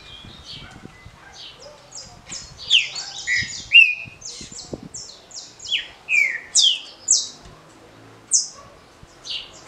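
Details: Green-winged saltator giving its short smooth Paraná song, a style for competition circles: mid-pitched downward-sliding whistles mixed among many bright high chips and trills from nearby birds.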